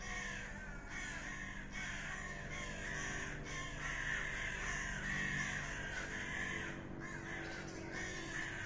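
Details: Common ravens in a fight, their grating croaks repeated rapidly and unevenly, about three to four per second, merging into a noisy, rasping racket over a faint low drone.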